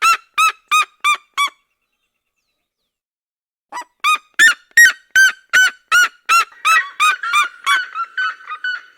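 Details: Red-legged seriemas of the Cerrado calling and singing in duet: loud yelping, honk-like notes in rapid series, a short burst of five, a pause, then a longer overlapping run from two birds that grows denser and faster.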